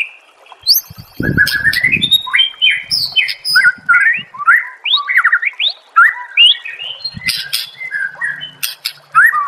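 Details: Master recording of a white-rumped shama for songbird training, delivering a long, varied stream of loud whistled slurs, chirps and ticks in rapid succession, with a few low thuds near the start.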